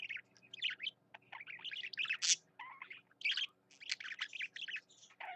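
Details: Singing pet budgerigar pours out a continuous chattering warble, mixing grating buzzes, chirps and quick whistled slides, with one louder high squeak midway and a quiet background hum.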